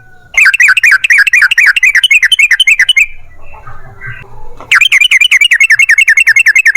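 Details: Yellow-vented bulbul in constant song, used as a lure for other bulbuls: fast, rolling, wavering chatter repeated about three times a second, broken by a brief spell of softer mixed sounds before the chatter resumes.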